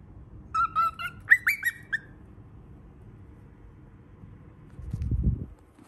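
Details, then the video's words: Baby cockatiel giving a quick series of rising whistled chirps for about two seconds, then silence, followed by a low rustling noise. "BABY COCKATIEL SOUNDS"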